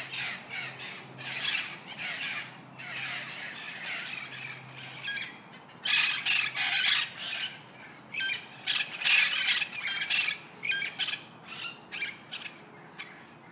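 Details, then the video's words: A parrot gives harsh, raspy squawks in short bursts, a few per second, with brief pauses between runs, over a low steady hum. "Canto del Pappagallo - Parrot Song"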